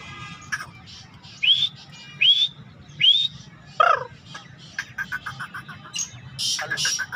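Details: Partridge held in the hand, calling boldly and unafraid while its cage is changed: three loud, shrill up-slurred whistles about a second apart, then a run of lower clipped notes, with other small chirps around it.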